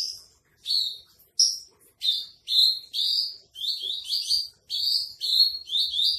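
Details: Javan bush lark for sale giving a trotol-style tutor song: sharp chirps that run into longer buzzy, slightly rising phrases, packed closely together in a fast, irregular run.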